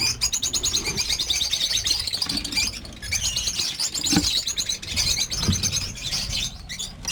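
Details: Over 50 lovebirds kept at a breeding farm, calling together: a constant shrill wash of rapid high chirps and twittering from many birds, with occasional low thumps underneath.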